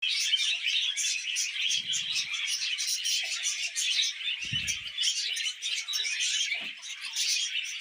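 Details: Several happy pet budgerigars sing while eating vegetables indoors: a dense, continuous chattering warble of squeaky chirps and trills that runs throughout, with brief low crunching or rustling noises near two and four and a half seconds.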